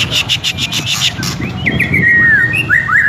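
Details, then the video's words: White-rumped shama in full, vigorous song: sharp clicking bursts at first, then loud sweeping whistles that slide down and up, over a steady low rumble like passing traffic. "jangan ngaku gacor kalau belum dengar kicau MURAIBATU INI"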